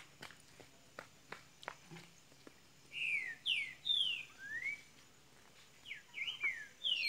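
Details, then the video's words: Double-collared seedeater of Minas Gerais, Brazil, starting to sing: after a few faint ticks, clear high whistled notes slide downward one after another, in two short bursts over steady background hiss. "coleira golinha de minas gerais abrindo canto !"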